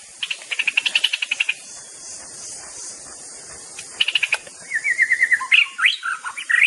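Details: Mimicking songbird, the white-rumped shama, opens with a fast train of about twelve sharp repeated notes, falls quiet, then gives a short burst and a run of quick chirps and twisting whistles; constant background hiss.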